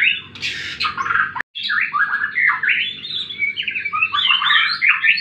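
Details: White-rumped shama in fighting song, used as a lure to get silent birds singing: dense, rapid run of varied warbled and chattering phrases, mostly mid-to-high pitched, with a brief cut in the middle and a low hum beneath.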